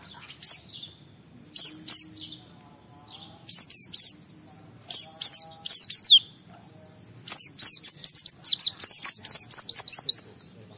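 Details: Oriental white-eye in 'gacor' song, challenging an opponent to prompt other white-eyes to sing: short bursts of high, sweet down-slurred chirps separated by pauses, building into a long, fast twittering run at the end.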